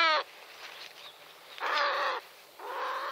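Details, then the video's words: Long-eared owl giving a terrified distress call while being attacked by a goshawk: harsh, wailing cries, a short burst then two longer ragged screams, each about half a second long. "Asio otus (Long-eared owl) 9. Terrified call"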